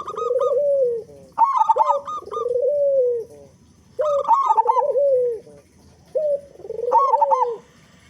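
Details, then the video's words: Big-voiced local zebra dove singing steadily, used as a lure so other doves start singing quickly; four phrases of stuttering rolled notes sliding into long, mellow, undulating coos, about one phrase every two seconds. "Perkutut Lokal Gacor Suara Besar Pancingan Burung Perkutut Agar Cepat Bunyi"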